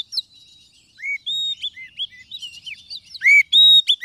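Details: Kacer (Oriental magpie-robin) lure song for trapping birds in the wild: rapid series of loud, pure whistled notes with upward and downward slurs, bright chirps between phrases, varied and continuous throughout.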